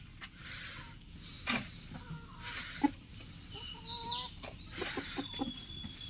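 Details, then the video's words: A rooster gives short, nasal clucks and brief harsh calls at an uneven pace rather than a full crow, with thin high whistles from small birds behind. "rooster crowing"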